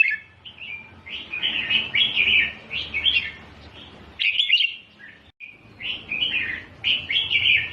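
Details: Doubled-style red-whiskered bulbul song used to train chicks. The warbling is nearly continuous, with a run of repeated bright phrases, a short break midway and then more cheerful rolling notes to the finish.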